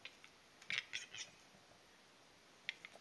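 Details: Western capercaillie (Tetrao urogallus) at a spring lek in taiga forest, Kuusamo, Finland, giving display song: dry sharp clicks, a quick burst of ticking, scraping notes mid-clip and two more clicks, over quiet hiss.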